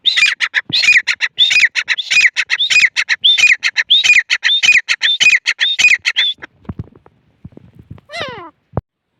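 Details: Partridge known locally as teetar calls in a long loud series of harsh, grating phrases, each with a whistled rise and fall, repeated steadily for six seconds before stopping; a brief descending squeal follows.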